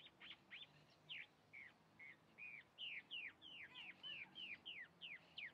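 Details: Chalk-browed mockingbird singing a lively string of clear whistled notes, some upslurred, many downslurred, delivered roughly three per second in a steady, slightly accelerating series.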